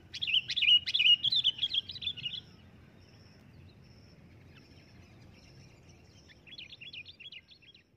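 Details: Sooty-headed bulbul calling loudly in a fast chattering run of bright, wavering whistled notes lasting over two seconds, then quiet, then a fainter zigzagging series of notes near the end.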